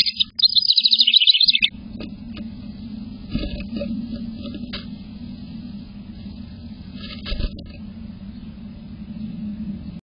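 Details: A House Wren at a cedar nest box camera on 5 May 2023, late morning, sings a brief, rapid, high bubbling trill of about a second, followed by faint high notes over a steady low hum.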